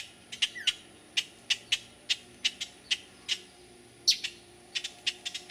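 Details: Juvenile black-crested titmouse at Resaca Los Fresnos, San Benito, Texas, 6 June 2012, giving short, sharp high-pitched call notes spaced irregularly about every half second, with a faint steady background hiss.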